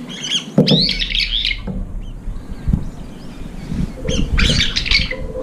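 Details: Several brown-eared bulbuls rush a feeding bowl that is nearly empty, fighting over the remaining food; loud, rasping, high-pitched squawks come in two bursts, separated by a quieter gap with low background noise.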